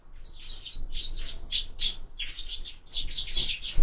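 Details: Sparrows at feeders mounted on a window give a steady series of loud, buzzy high chirps in quick groups, roughly three or four per second, with a knock at the very end.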